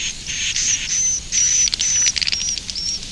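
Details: Roosting call of the edible-nest swiftlet, a run of drawn-out high whistles laid over a harsh buzzing hiss, broken by a few short clicking pulses near the end.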